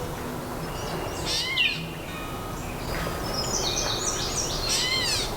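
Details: Gray catbird in early-morning Carolinian forest along Bear Creek, Petrolia, Ontario, in early summer: short, slurred, cat-like mewing notes, arching up then down, twice in a few seconds over steady outdoor hiss and faint chirps from other birds.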